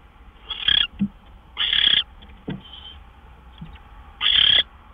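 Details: Owl at the nest on March 26, 2013, around 12:09 AM amid gopher deliveries; three loud, raspy screeches separated by quiet hisses and low knocking or shuffling thumps.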